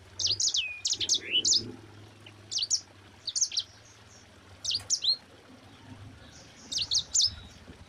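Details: Mozambique canary (sanger) singing in the lively 'gacor ngerol rapat' rolling style; bursts of high, rapid twittering notes in short phrases, separated by brief pauses of about a second, over faint low background hum.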